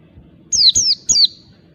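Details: Wild oriental white-eye calling, used as a lure for other white-eyes: three quick, piercing, high whistled notes, each sliding downward, delivered in under a second, over a quiet low background.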